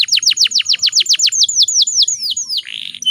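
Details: Female canary in breeding condition, calling to provoke males: a steady series of sharp downslurred notes, about six per second, stretching wider toward the end, then a short raspy buzz.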